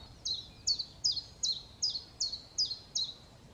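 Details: Great spotted woodpecker heard but unseen in hedgerow trees at the rewilded Knepp Estate, West Sussex: eight sharp, high, dropping 'kik' notes, roughly two or three a second, over faint outdoor background noise.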